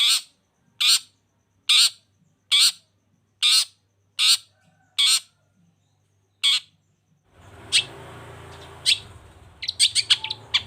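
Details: Vigorous long-tailed shrike used to set off silent shrikes: a run of loud harsh rasps about one per second, followed by a patch of broad hiss with a few scattered sharp chips.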